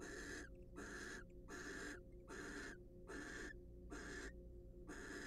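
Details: Wild barn owls during preening and courtship produce a rapid run of coarse, wheezing hisses, about seven bursts in five seconds, with a steady electrical hum underneath.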